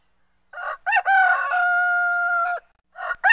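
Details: A rooster gives a full crow with choppy opening syllables and a long, level, drawn-out final note, followed by the rough beginnings of a second crow at the end.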